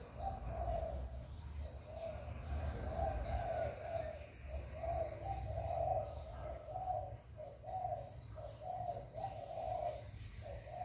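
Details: Spotted dove cooing to stimulate other doves, recorded without background noise; a long run of low, mellow, pulsing coos repeated steadily for about eleven seconds over a low rumble.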